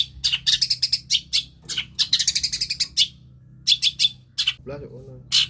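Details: Long-tailed shrike, kept as a lure bird, singing a varied mimicry song copying many other birds: rapid bursts of sharp, high chirps and rattles with short pauses, a brief low wavering note near the end, faint low hum behind.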